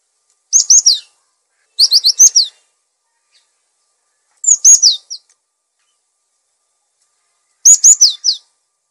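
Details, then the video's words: Cinereous tit in full song (gacor), recorded as a master track for training and luring other birds; four bursts of quick, high, sharply down-slurred notes in groups of three to four, separated by silent pauses, nothing else audible. "Gelatik Batu Gacor! Untuk masteran dan pancingan Burung"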